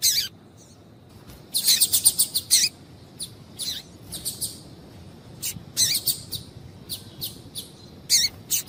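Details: Calls of a female double-collared seedeater used to warm up a male: bursts of rapid high twittering chips in clusters, with short pauses between groups and a soft hiss behind.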